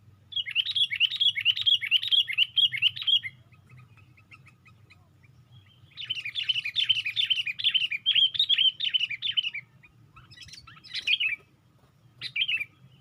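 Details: Sooty-headed bulbul on a branch, lifting its wings: long bursts of fast bubbling, chattering notes repeated many times, a pause, another bubbling burst, then a few separate short calls, over a constant low rumble.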